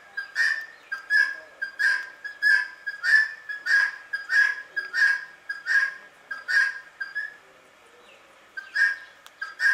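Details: A very calm Indian ringneck parakeet gives sweet, whistled two-part calls, a short clipped note and then a longer ringing one. About two per second, steady and even, before a brief pause and a few more.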